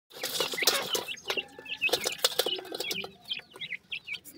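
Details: Francolin (teetar) chicks of a new captive dakhni pair, giving many high, thin peeps that slide downward, overlapping in a busy chorus with sharp clicks and rustling in between.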